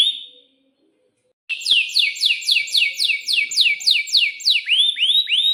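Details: Atlantic canary in breeding condition singing a long roll: one short note, a pause, then a fast trill of repeated rising whistled sweeps, about four per second, ending in broader upswept notes.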